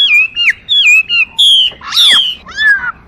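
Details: Chinese hwamei singing loud, clear whistled phrases: slurred notes repeated in short bursts, rising and falling, ending with a buzzy rich note and a descending whistle.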